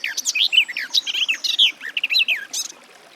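A Garden warbler's rapid, rich warble runs almost unbroken for nearly three seconds, mixing sweet rising and falling notes with quick chattering phrases.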